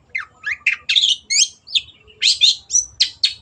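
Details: Cendet, the Long-tailed shrike, giving a varied, busy song of hoarse twisting notes and short buzzy chirps, delivered quickly and loudly, with little else audible.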